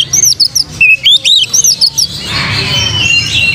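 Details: Oriental magpie-robin song meant to provoke singing: a rapid string of loud, bright whistles, many arched up-and-down slurs in quick succession for two seconds, then a noisy chorus of other birds.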